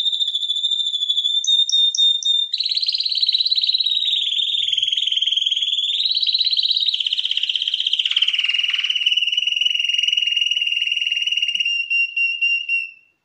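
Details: Canary champion vocal from 2021, a sustained run of rapid rolling trills, starting with a steady tone and a few quick glides, then buzzy pulsed tours sliding gradually lower, ending in softer clipped notes and fading.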